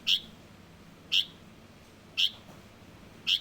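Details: Juvenile Light-vented bulbul giving loud, bright single chirps at a fairly even rhythm of about one per second, four notes in total.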